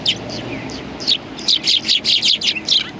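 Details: Several sparrows perched on a bench at a shrine, recorded 21 January 2020, giving bright, short chirps in quick irregular bursts, some overlapping, over a low hum of background noise.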